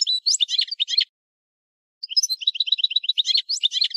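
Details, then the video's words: European goldfinch song: a burst of rapid, tinkling high notes, a second of silence, then a longer stream of quick liquid chirps and twitters, with no other sounds. "Chant du Chardonneret"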